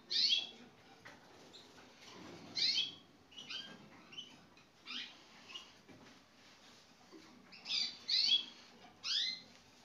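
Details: Male Gloster canaries from the 2016 season give short, bright chirped notes with downward-sweeping harmonics, about eight bursts over ten seconds at irregular spacing, with faint clicks and rustling between phrases.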